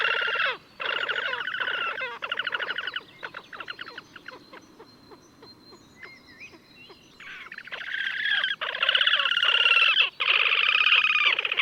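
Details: Slavonian grebe in Gavieze, Latvija, May 2024: loud harsh rattling trills in long bursts, rising and falling, pausing midway for softer clicks and a thin whistle before the chattering resumes strongly.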